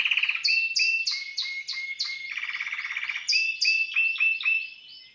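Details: Caged Timbrado canary at an aviary delivering a bright song of repeated descending chirped notes, a fast rolling trill in the middle, then more stepped whistled phrases fading out; no other sounds stand out.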